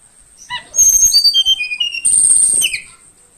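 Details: Young Tledekan Kalimantan, forest-caught and in care about two weeks, morning singing: rapid bright whistles sliding down the scale, followed by a louder high trilled burst ending in a dropping note.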